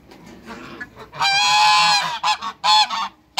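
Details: A farm group of three African geese meets new geese: one long, loud, brassy trumpeting honk, then several short sharp honks in quick succession.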